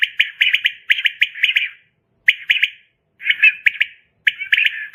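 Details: A quail calling at night, a sound used to catch quail: quick bursts of liquid, clipped notes in groups of three to six, pausing briefly between phrases; nothing else is heard.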